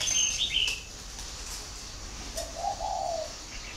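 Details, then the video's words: Low hollow coo from a spotted dove kept at a breeding farm in Ba Vì, northern Vietnam, heard once near the end after a burst of high twittering chirps from other small birds. "chim cu gáy hay miền bắc"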